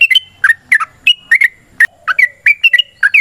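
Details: Sooty-headed bulbul in a long, fiery fighting song used as a lure to provoke answering song: rapid loud chirps in twos and threes, a few slurred downward, with one sharp click midway.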